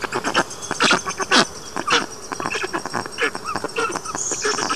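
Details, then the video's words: The younger of the black stork chicks on a nest in Karula National Park, Estonia, gives hoarse, rasping bursts, loose and irregular at about two a second, mixed with thinner squeaky notes. The father flew off once the chicks began screaming. "Черный аист . Прислушайтесь к голосу младшего аистенка."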